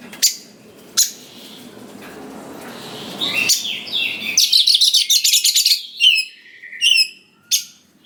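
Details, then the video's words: Oriental magpie-robin lure song aimed at getting young wild birds to reply: scattered sharp chips over background hum, a rapid harsh chattering run, then several downslurred whistled notes. "Pancingan Suara Dasar Kacer Gacor Cocok Sekali Untuk Pendongkrak Emosi Kacer Muda Hutan Agar Nyaut"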